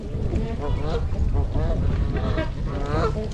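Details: Trumpeter swans in winter at Gallup Park, Ann Arbor, Michigan, on January 8, flock of 26 adults and 16 juveniles; loud, nasal, trumpet-like honks overlapping continuously above a low background rumble, recorded with a GoPro.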